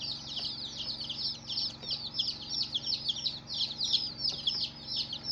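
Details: Many colourful baby chicks chirping together: a dense stream of high, downward-sliding peeps, overlapping and almost continuous, with a faint low hum beneath.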